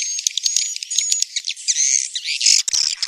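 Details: Swiftlet sound in the style known as tarik langgeng: dense, high, chattering twitter with thin whistled tones and rapid clicks, continuous with brief breaks.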